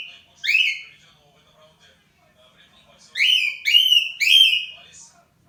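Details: Morning song of a pet cockatiel serving as an alarm clock: one rising whistle, a pause, then three linked whistles swooping upward and holding steady, with quiet indoor background.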